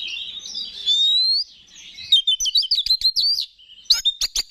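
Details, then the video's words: Oriental magpie-robin, a contest songbird, singing to provoke other males into singing: a long whistled warble near one pitch, then a rapid run of sharp clicking and chattering notes and loud broken chips. "Pancingan Menaikan Emosi K4CER"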